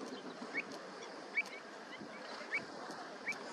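Pied Avocet chicks give four short, thin, high peeps, about one every second, over a steady low rushing background.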